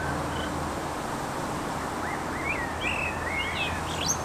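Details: Trio of common starlings recorded with a RODE VideoMicro: from the midpoint, a run of varied whistled notes, looping slurs and quick rising squeaks, some high and thin, over a steady low rumble of background noise.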